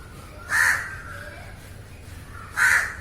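A crow gives two harsh, hoarse caws about two seconds apart over a quiet, faint background hum.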